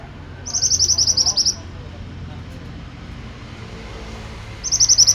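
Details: Pied bushchat singing actively, a phrase of rapid, high, sharp notes about a second long, repeated after a pause of over three seconds, with faint traffic noise behind.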